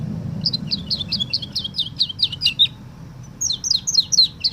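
Canary singing a woodlark-like phrase: a run of about ten rapid, liquid, descending notes, a brief pause, then a second quicker series, all high and clear.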